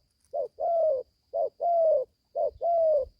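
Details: Young spotted dove just starting to call, on its first forest training trip: three clear coo phrases, each a short low note followed by a longer gently falling one.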